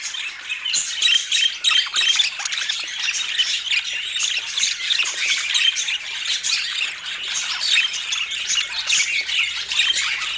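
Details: Budgerigars squawking and chattering loudly, harsh high calls bursting out in quick succession over a constant background of chirping voices.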